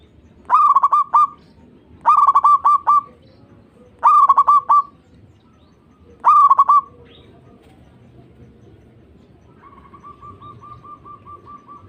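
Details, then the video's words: Zebra dove lure song meant to stimulate caged doves to sing: four pulsed, rolling cooing phrases, one about every two seconds, then a faint, evenly repeated series of soft notes near the end. "Pancingan Perkutut Obat Manjur Pandai Bikin Nyaut Bunyi"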